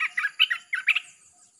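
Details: Red-whiskered bulbul song used as a lure for wild birds: a brief string of five or six liquid, bubbly whistled notes, then fading quiet with a faint high hiss.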